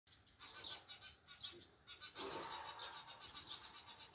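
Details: Sparrows in a countryside morning scene: bright, high chirps tumbling in quick overlapping bursts, with a brief louder rustling swell midway and soft rural background.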